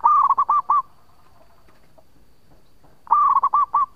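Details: Actively singing local zebra dove, used as a lure. Two loud bursts of fast, bouncing coo notes, each about six notes long, are separated by a quiet pause of about two seconds.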